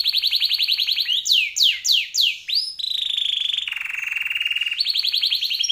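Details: Canary with a luxurious, lengthy song, recorded as a master for teaching birds: a rapid trill, loud swooping downslurs, then a long buzzy churring roll and a bright trill again.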